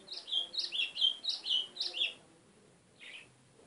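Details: White-throated seedeater singing a brisk series of seven high, slurred chirps in about two seconds, followed by a single softer trailing note; background otherwise quiet.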